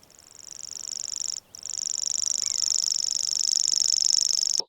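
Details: Common grasshopper warbler song played back, a species first heard on a litter-picking visit; a continuous insect-like reeling of rapid high ticking pulses, briefly broken once, then resuming steadily.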